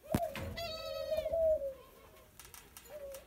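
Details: Very tame young Barbary dove being friendly: a sharp click, then one long steady low coo that fades out, followed by a short soft coo, with a brief higher tonal sound overlapping the start.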